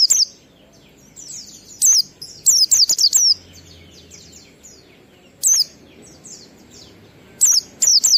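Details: Oriental white-eye singing ngalas, used to lure kept birds into song; repeated groups of shrill, high, descending whistled notes in quick runs, with softer thin twittering filling gaps and low hum beneath.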